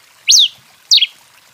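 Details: Two quick whistles from an excited Rufous-collared sparrow singing the 'canto 21' style: a long arched rising-then-falling note followed by a short steeply descending stepped note.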